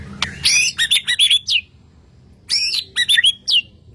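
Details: White-rumped shama from Kalimantan giving two short bursts of very high, thin chips and sharp whistles, each about a second long, separated by a quiet gap.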